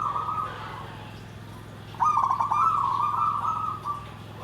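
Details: Zebra dove in the 'nggandem gedhe garing' song style: a short, soft cooing phrase, a quiet gap, then a louder run of quick stuttering notes flowing into a warbling coo, with a continuous low hum behind.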